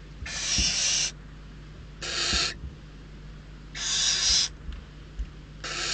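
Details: Hungry barn owl chicks at Riet Vell Natural Reserve, Ebro Delta, fighting over prey after days of scarcity; four harsh, hissing screeches about a second long, separated by pauses, over a low steady hum.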